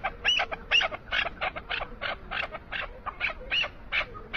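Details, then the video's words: An Iranian chukar partridge gives harsh, clucking chuk notes, about three a second in a steady rhythm, over a low background rumble. "keklik sesi KINALI KEKLİK"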